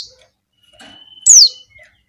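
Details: Female Javan white-eye calling to attract males. One loud, high, downward-sweeping call comes after a short stretch of soft rustling and a thin steady tone.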